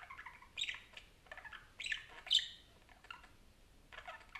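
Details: Parakeet chattering, with bursts of scratchy, warbled notes and short squeaks separated by brief pauses, the loudest flourish arriving mid-sequence.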